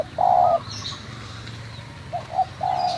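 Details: Local spotted dove from Munjung Agung, Kramat, Tegal: a long, even coo, then a pair of short clipped notes leading into another drawn-out coo, over a steady low background hum.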